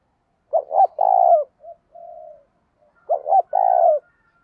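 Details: Provoking fighting, a decoy spotted dove gives two deep cooing phrases, each a pair of short notes leading into a long coo, separated by brief soft hums.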